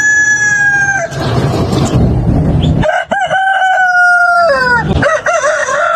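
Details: Rooster crowing on a chicken farm: a loud, sustained, level crow, a burst of low rumbling noise, then another long crow dropping at its close and a third crow beginning.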